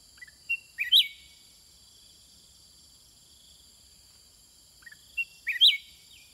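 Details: Sooty-headed bulbul counter-singing with wild birds, giving two short, liquid whistled phrases about four seconds apart, each rising to a sharp peak, against continuous buzzing insects.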